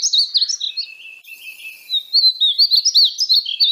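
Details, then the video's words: Painted bunting song: sweet slurred whistles and short warbled notes in two bursts, high-pitched and quick, with a brief quieter pause between phrases. "belo canto do pássaro estamenha pintada (Passerina ciris)"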